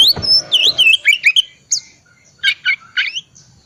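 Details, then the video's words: Oriental magpie-robin singing in the ngriwik style, used to prompt silent magpie-robins to sing: sweet slurred whistles rising and falling, quickly followed by short buzzy chattering notes in a rapid series. "pancingan kacer tipe dingin ngriwik wiksar"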